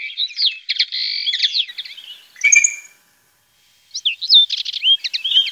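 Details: European goldfinch singing in the Llanura Manchega around Tablas de Daimiel and Villarrubia, Spain: twittering phrases with nasal buzzy notes, a brief silence, then more rising and falling chirps.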